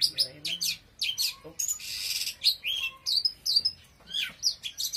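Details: Oriental magpie-robin singing intensely: a dense, rapid run of high, sharp whistles, chirps and buzzy trills that follow one another almost without pause.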